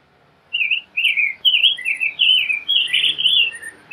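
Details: Clear, caroling song from a rose-breasted grosbeak, a fast series of mellow whistled slurs rising and falling, with a soft background hiss.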